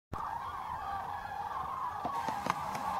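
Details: Common cranes at Tablas de Daimiel in November 2012, a dense overlapping chorus of trumpeting calls forming a steady band, with a few sharper clicks and knocks near the end.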